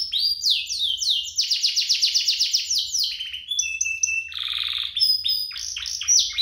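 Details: Canaries singing in a lively duo, intended to spur canaries into song: rapid descending-note trills, a rattling buzzy burst, then quick rising whistles and high chips.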